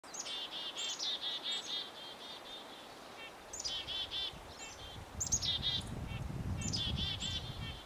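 Red-breasted Nuthatch giving quick runs of nasal, tinny 'yank' notes, about three a second, with a few thin high chips and a low rumble of background noise.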